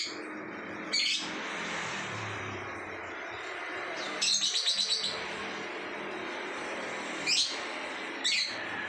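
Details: Lovebird in ngacor singing: scattered bright, high-pitched chirps and one rapid stuttering trill of about six notes in the middle, separated by quiet gaps filled with faint background noise.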